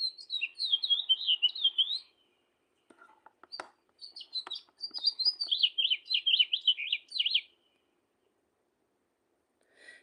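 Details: Wild house finch song played back in a room: long, very high-pitched warbling phrases of rapid rising and falling notes, a pause with faint clicks, then another extended twittering run.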